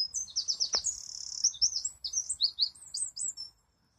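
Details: Singing wren: a rapid run of high, sharp repeated notes followed by varied jumbled twittering phrases, loud and continuous for about three and a half seconds.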